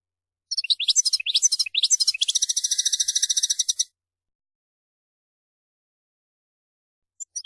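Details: European goldfinch (mqnin) song bout: quick jumbled twitters leading into a sustained rapid metallic trill of over a second and a half, followed by silence and a brief final chirp.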